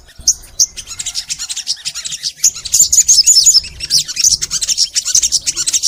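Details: Energetic, long-running crimson sunbird song from a master recording meant to get pet sunbirds singing: fast, sharp, very high twittering with quick trills and squeaky notes tumbling together without pause.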